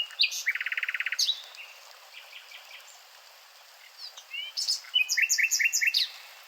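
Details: Nightingale song: a rapid mechanical trill of even notes, then scattered chirps and a lively closing series of repeated bright notes, against noisy outdoor background.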